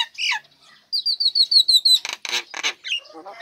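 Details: Female Nias hill myna (Gracula robusta), just uncovered from its cage, sings a rapid run of about ten clear, descending whistles, then loud harsh squawks and grating notes; used to prompt lazy birds into singing.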